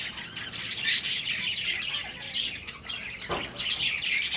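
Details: Finches kept for breeding call in quick, bright chirps and twitters, several birds overlapping, with one sharp knock in the second half.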